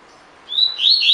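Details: Opening of a collared seedeater 'tui tui' phrase, used as training audio for caged birds: a thin rising whistle leading into louder buzzy notes, cut off after a second.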